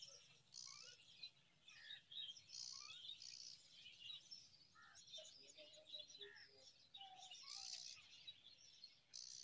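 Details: Myna parent feeding date fruit to five young; the nestlings give rasping, noisy bursts that come and go, over a busy layer of quick high chirps and brief upslurred whistles.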